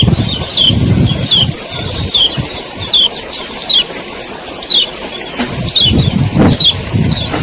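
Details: Male common iora calling to stir other birds into song: a rapid run of high falling chirps, then spaced sharp descending notes about once a second, over a constant high hiss and low rumbling thuds.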